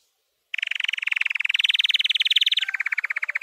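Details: White canary singing a training song: after half a second of silence, a fast buzzy trill of rapidly repeated notes steps up slightly in pitch, then drops to a lower rapid roll near the end.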